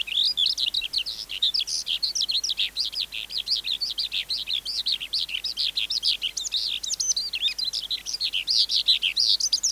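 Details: Long, nonstop outpouring from a wild-caught adult skylark: dense high-pitched warbling made of quick trills, slurred upward and downward notes and buzzy chirps, running on without a break for nearly ten seconds.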